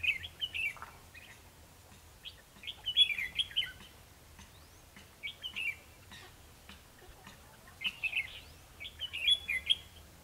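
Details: Red-whiskered bulbul fighting song used to lure birds into a trap, 21 December 2015: loud, bubbly whistled phrases repeated every two to three seconds, each a quick jumble of bright notes.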